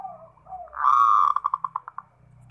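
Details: Captive perkutut (zebra dove) in energetic ngerot song meant to prompt other doves to reply: a low soft coo, then a loud drawn note breaking into a run of rapid, evenly spaced pulsed coos that fade out.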